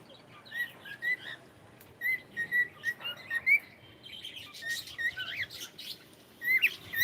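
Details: Pet cockatiel saying good morning: bursts of short whistled chirps, some rising or hooked, in quick runs separated by brief pauses, with a denser, buzzier stretch in the middle.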